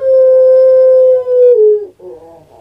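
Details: Caged puter pelung dove in Indonesia holds a long, steady coo for over a second and a half, easing downward in pitch, followed by a softer rolling, gurgled note.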